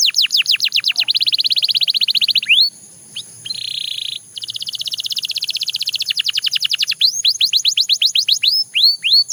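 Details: A Belgian canary delivers a rapid falling trill, a short pause, a buzzy tone, then a long even rattle before finishing with high hooked whistles.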